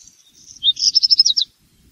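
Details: A black redstart sings a single loud phrase: a high thin opening then a fast series of about eight crackling, rattling notes in under a second, clean and close.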